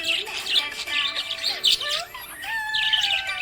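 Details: Happy budgie chirping: bursts of bright, warbling chatter and squeaks, with short rapid notes in clusters separated by brief pauses. Steady tones run underneath, possibly background music.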